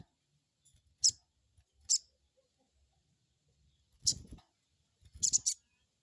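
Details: Crested jay crecet calls meant to provoke an untrained bird into calling: sharp high chips, two spaced singly, then a quick cluster of three near the end, over faint low bumps.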